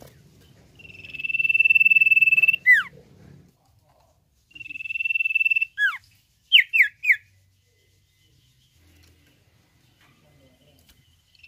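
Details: Common iora (cipoh) singing: a long, steady, pure whistle held for about two seconds ends in a sharp downslurred note. The phrase is repeated, then followed by three quick descending notes, against a quiet background.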